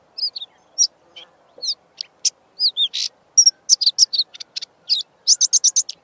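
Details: A Karoo scrub robin sings a rapid, varied jumble of high slurred whistles, sharp chips and buzzy notes, mimicking a Diederik cuckoo and a pin-tailed whydah against a quiet background.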